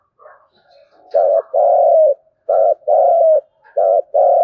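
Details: Spotted dove 'thúc gù' cooing in native-field voice, a lure to get wild doves calling: faint soft notes lead into three pairs of coos, a short one then a longer slightly falling one, roughly every 1.3 seconds.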